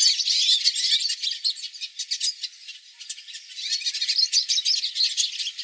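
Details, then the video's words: Hooded siskins, a flock, sing songs meant for training pet birds: dense, fast twittering with rapid high chirps and sweeping trills, briefly thinning near the middle before building again. "Melhores Cantos para seu Pintassilgo"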